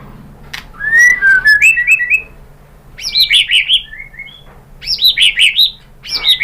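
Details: Shama song played to coax another bird into answering: whistled rising notes followed by rapid bouncing high phrases, three loud bursts separated by short pauses.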